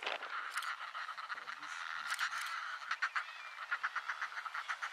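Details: Northern fulmar (Fulmarus glacialis auduboni) in Iceland in June 2019 giving harsh, guttural cackling, a rapid run of throaty pulses that quickens toward the end, over a steady rush of wind or surf.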